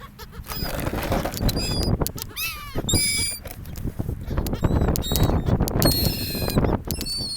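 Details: Seagulls at a beach by a gulf, interacting with people; loud, strained calls with rising and falling pitch around the three-second mark, with thin high cries scattered throughout, over heavy low rumbling surf and wind.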